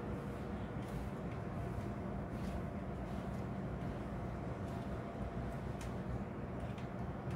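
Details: Steady low rumble of passing vehicles with a few faint, brief high ticks; no animal voice.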